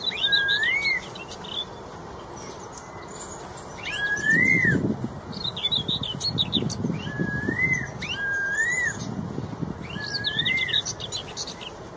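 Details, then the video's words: Straw-headed bulbul, described as in the wild, singing a rich warbling song: loud rising-falling whistled phrases with bubbly notes, repeated in bursts about every two seconds, over a low rumbling background and faint chirps. "CUCAK ROWO EKOR MERAH | MASTERAN MEWAH | GACOR NGEPLONG..DI ALAM LIAR."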